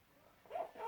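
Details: Two male Eclectus parrots chatting to each other make silly noises: a brief, nasal, whiny call that swoops up and down, then a second higher squeak, all within a second.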